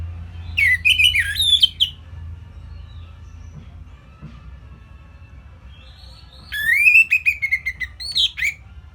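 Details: Orange-headed thrush song, a simple tutor recording for training songbirds to copy: two bursts of loud whistled phrases with sharp buzzy notes, the second sliding down, separated by several seconds of quiet and low steady hum.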